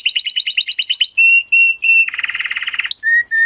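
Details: Male canary, excited ('mast'), singing: a quick rhythmic chop of double notes, short level whistles, a low dense churring trill, then more brief whistled notes.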